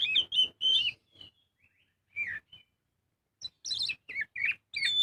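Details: Oriental magpie-robin (kacer) song used as a lure to get birds singing: bursts of sharp whistled and chattering notes separated by short pauses, with a quiet gap in the middle.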